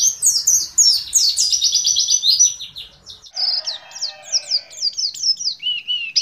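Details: Several kept white-eyes, used as tutor birds for training other white-eyes, sing together in a fast, high, twittering warble of quick rising and falling notes, followed by a softer chirping stretch.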